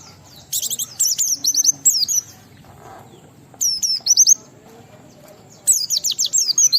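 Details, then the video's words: Oriental white-eye in lively ngalas style, filled with sambung riwikan material, sung to stimulate other white-eyes to sing: three bursts of rapid, high, slurred chirps, each under a second, separated by quiet gaps. "Burung Pleci Gacor NGALAS Isian sambung Riwikan Materi Ampuh Merangsang Semua Pleci langsung Gacor"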